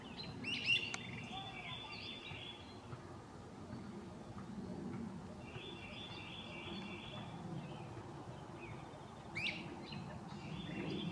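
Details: Great crested flycatchers (Myiarchus crinitus) call among the treetops, giving three bursts of loud, rolling, burry, echoing calls spaced a few seconds apart, with a steady low rumble of background noise.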